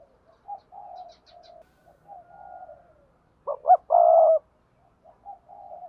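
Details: Spotted dove cooing as kept birds do in the 'gáy thúc gù' and 'gáy gọi' styles: quiet, soft murmured notes, then one loud phrase of two quick notes and a held coo.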